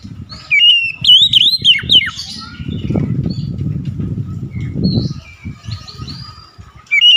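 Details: Oriental magpie-robin giving a chattering kacer song. A bright burst of rolling, slurred whistles opens the clip and gives way to a long stretch of low fluttering noise. A short whistled phrase returns at the end.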